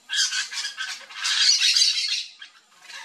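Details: Flock of Yellow-chevroned Parakeets feeding on fruit in a backyard in Brazil, giving dense overlapping harsh, shrill chattering squawks that swell and fade over a few seconds.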